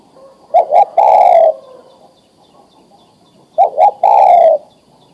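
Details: Mature male spotted dove calling a female to mate: twice, a pair of short coos runs into a long, slightly falling coo, with quiet pauses between.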